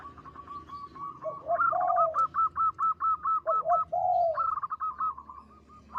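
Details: Local zebra dove singing energetically, voice big, long and melodious: deep, swelling, slurred coos alternate with rapid trains of crisp, evenly spaced higher notes, around ten per run.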